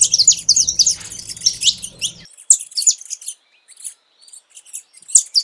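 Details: Saffron finch singing a fast burst of high chirps for two seconds, then scattered sharp notes separated by pauses; low hum in the first part.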